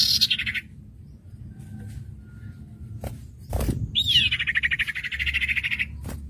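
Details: Full-variation common iora material for teaching young birds: a short trill, then a long, fast, rattling trill that drops and levels off, lasting about two seconds, over quiet background noise and a clunk.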